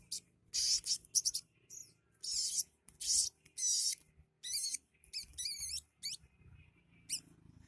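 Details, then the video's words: Sunbird song filled with mimicked calls of sparrows, prenjak lumut, cieng and others. Dense rasping high bursts and quick wavering whistled notes follow one another rapidly, some loud and buzzy, others thin and trilled. "Burung sogok ontongku yang kicaunya isian seperti gereja,prenjak lumut/cieng dll"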